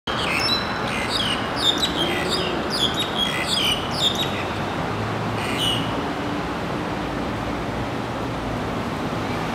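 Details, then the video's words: Black-collared starling giving a run of harsh, chattering and squeaky notes for about six seconds, then stopping, with constant loud rumbling traffic-like noise throughout. "黑領椋鳥 Black-collared Starling"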